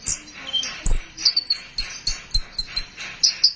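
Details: Sunbird song used as a lure to stimulate other sunbirds to sing: rapid, thin, high chirps and short whistled notes repeated about every quarter second, with a few soft low thumps.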